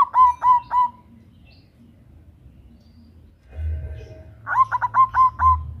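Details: Female zebra dove of the local type calling a male, a lure call: three spaced low coos, a pause of a few seconds with faint noise, then a faster run of about six coos.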